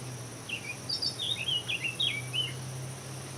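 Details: European bee-eater calling: a run of short rolling, liquid chirps, roughly eight notes over two and a half seconds, set against a steady low hum and faint high hiss.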